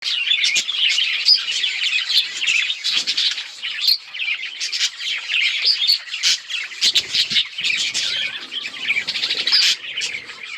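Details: Budgerigars, a colony of colourful birds recorded on October 26, 2023, fill the air with dense, overlapping chirps and warbles, a continuous high twittering chatter from many birds with sharp clicks and squawks scattered throughout.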